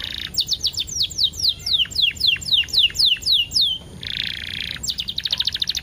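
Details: Canary song played as a lure, with ten-second breaks, to prompt canaries to sing: a run of descending whistled notes, a harsh buzzy burst, then a quick high rattling trill.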